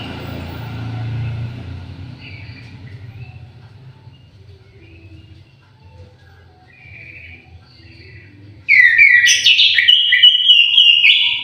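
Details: After several seconds of quiet low background rumble and faint distant chirps, an orange-headed thrush in an aviary bursts into a loud, rich whistled warbling phrase lasting about three seconds.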